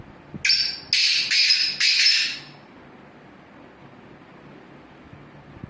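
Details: A Black Francolin gives a loud, harsh, grating phrase of four rasping notes in quick succession, followed by quiet background.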